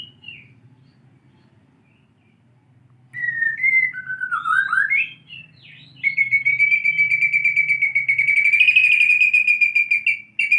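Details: White-rumped shama learning to sing like a canary: after silence, a few slurred whistles, then a long steady rolling trill held for about four seconds before stopping abruptly.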